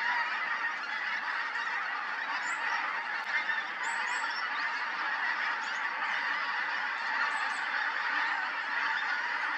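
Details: Pink-footed geese massed at Montrose Basin in October 2020, a constant roar of overlapping honks and wink-wink calls from many birds, with a few higher squeaky notes above.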